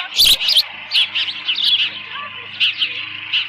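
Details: Nest-bound osprey on 13 June 2018 in late morning, leftover fish in the nest; softer, wavering high chirps in loose bursts after one loud thump, with a faint low hum underneath.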